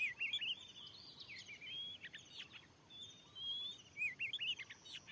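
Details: Oriental magpie-robin in the wild, answering a lure in a new field: fainter song of looping whistles, two long level whistled notes and brief sharp chips, over a quiet hiss.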